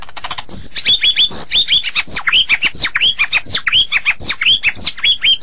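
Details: White-rumped shama song used as a training recording for songbirds: a fast, continuous stream of high, sharply falling and rising whistled notes, several per second, following a short harsh opening.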